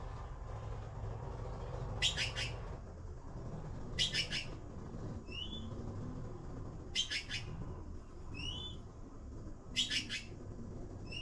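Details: Blue magpie: harsh, broadband rasping bursts about every three seconds, with thin, rising whistled notes in between, over a steady low rumble.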